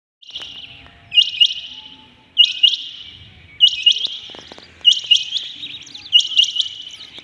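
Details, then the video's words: Rain quail giving loud, high, metallic paired 'which-which' notes about every 1.2 seconds early in the morning in 2021, over a quiet background with faint low rustling. "Rain quail calling"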